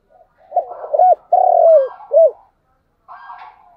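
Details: Spotted dove decoy bird cooing in the morning to lure wild doves near: two short broken coos, a long drawn coo and a short clipped final note, then a harsher buzzy rasping sound.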